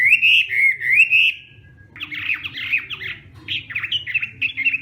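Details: Hwamei morning song practice, opening with bright slurred whistles, a brief pause, then harsh, buzzy scratchy phrases delivered rapidly.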